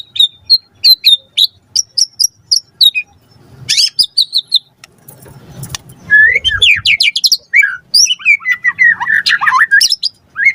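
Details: White-rumped shama song played as a lure to provoke a response: rapid high sharp chips repeated in bursts, then a pause with low rumbling noise, followed by fast rising and falling whistled trills and varied phrases.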